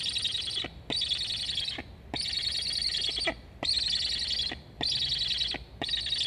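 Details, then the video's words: Black stork young on an Estonian nest, 26.08.21, begging to be fed as a sibling flies by the nest, both chirping; loud buzzy, rasping calls repeat about once a second, six bursts with brief silent gaps. "Sibling flying along the nest, Julge 7181 asks to eat. Both are chirping."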